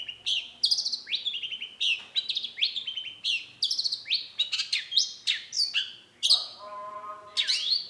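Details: Energetic long-tailed shrike lure song meant to draw an immediate reply: rapid high falling whistles and chirps in quick succession, ending with a harsher buzzy rasp; a faint low hum sits underneath.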